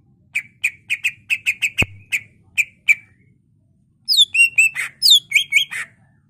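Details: Lively greater green leafbird, used as a master to teach and provoke other birds, gives a steady series of crisp chip notes, then a burst of high, twisting, squeaky whistles and chatter.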